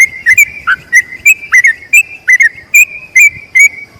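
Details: Yellow-vented bulbul singing its long trilled song for training other bulbuls: spaced, clear whistled notes, some slurred downward, roughly two to three per second over a steady faint tone.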